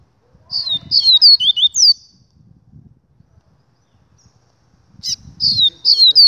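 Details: Double-collared seedeater singing two bursts of quick, high whistled notes. Each note slurs downward, and the phrases are separated by a few seconds of silence. Faint low rustling sits underneath.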